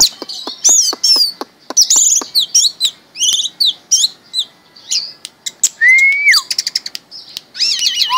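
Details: An orange-headed thrush, a pet kept since it was young, sings a rapid, varied stream of high twisting whistles, trills and sharp clicks, with one longer, lower, slurred whistle near the end.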